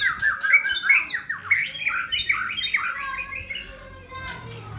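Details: Sabang murai Aceh (white-rumped shama) in full song, rapid chains of looping whistled notes and trills tumbling over one another for several seconds before fading, with a short harsh note near the end.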